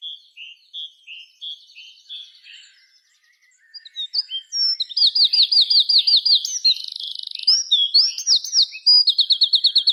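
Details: Birds chirping in the afternoon at dusk from treetop branches: soft high chirps at first, a pause, then loud rapid song with repeated rising slurred notes and a buzzy trill, about three notes a second.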